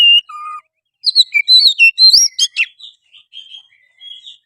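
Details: Lure song of an Oriental magpie-robin, meant to make a hesitant bird sing, fight and spread its tail: a fast run of clear whistles and chirps, then sharp downward rasping strokes and softer trailing notes, with no other sounds.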